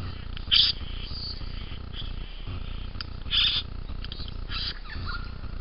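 A young bowerbird gives three short, harsh, hissy bursts about a second or more apart, the middle one loudest, over a steady low rumble.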